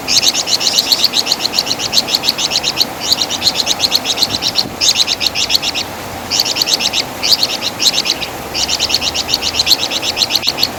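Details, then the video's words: Flamboyan, or wergan jawa, the Javan fulvetta, noted for a loud song and distinctive chattering, used as a master song to tutor songbirds. Rapid, high, dry chirps run in bursts of one to two seconds, separated by brief pauses. "Masteran Suara Burung Flamboyan | Wergan Jawa"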